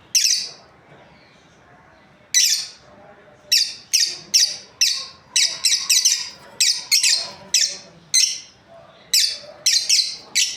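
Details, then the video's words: A breeding pair of lovebirds chatters busily with around twenty piercing chirps, sparse at first, then fast and overlapping as both birds call in quick succession. "Happy lovebirds chirping sounds| breeding pair"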